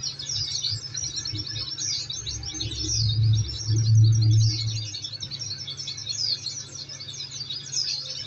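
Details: Oriental white-eye song used as therapy to make birds answer: very high, rapid chirping phrases repeated continuously, while a low droning hum swells loudly in the middle.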